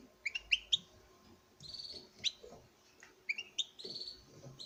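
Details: Male European goldfinch, bred in captivity, singing to a female: clusters of sharp, quick chirps alternating with thin, drawn-out buzzy notes against low background rumble.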